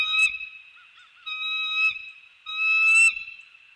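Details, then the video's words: Bald eagle pair greeting at their treetop nest in The Hamlet at dawn, 15 December 2019, picked up by a nest camera around mating: shrill, ringing, harmonic calls in three drawn-out bursts, the middle note steady, the last rising into a sharp squeal. "Eagle Cam 12-15-19: Early Morning Greetings and Sweet Mating"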